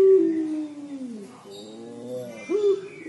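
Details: Drawn-out falling moan of a puter pelung dove in its crying style, fading after about a second and a half, then a quieter stretch and a short rising note.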